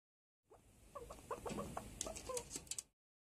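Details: Hand-tame Daurian redstart singing quietly, as if talking, instead of its usual "hih… hih… kaka" call: soft, varied little chirps and squeaks in a quick run, followed by high clicking ticks near the end.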